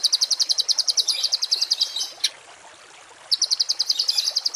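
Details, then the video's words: Songbird masteran recording for contest and home cage birds, harsh tembakan variation: a long rapid trill of sharp high notes, a single loud click, a pause, then the same quick trill resuming. "MASTERAN BURUNG TEMBAKAN KASAR || Suara Masteran kasar langganan juara"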